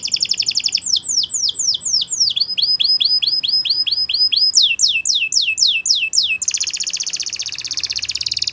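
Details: Waterslager canary singing a training song: a rapid high trill gives way to runs of repeated down-slurred whistled notes at shifting pitches, about four per second, ending in a dense, rolling, buzzy trill.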